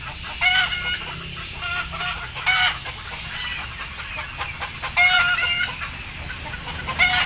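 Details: Chickens, sleepy and scared before going on board, give repeated coarse squawks roughly every two seconds, some doubled, above a dense bed of quieter flock noise and low-pitched hum.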